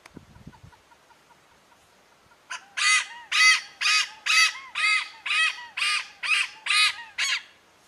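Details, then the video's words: Malabar pied hornbill in Wilpattu National Park, Sri Lanka: a series of about ten loud, harsh, cackling notes, roughly two per second, after a quiet start. "Malabar Pied Horn-bill"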